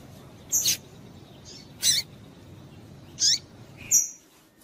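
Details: Calling to get males singing, a female double-collared seedeater utters four high chips, roughly one every second, with buzzy downward-sweeping notes and a final clear, thin whistle, against low steady background hiss.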